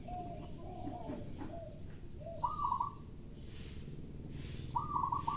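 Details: Local zebra dove (perkutut) calling back and forth with a spotted dove (derkuku) in the morning while people sweep nearby. Two short bursts of rapid, stuttering high coos, preceded by lower, drawn-out coos from the other dove, over a steady low rumble.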